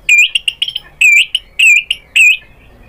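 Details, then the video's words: White-rumped shama provoked into replying: a series of loud, sharp whistled notes with rising inflections, each about a quarter second, repeated in quick bursts with short gaps. "MURAI BATU GACOR memancing EMOSI jadi NYAUT BONGKAR MATERI ISIAN"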